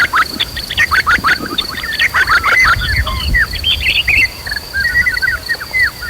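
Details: Agitated white-rumped shama singing, played as lure audio to stir other shamas to fight and sing, mixed with nature and river sounds: dense bursts of varied whistled notes and rising-falling slurs, over a steady high insect drone and low rumble.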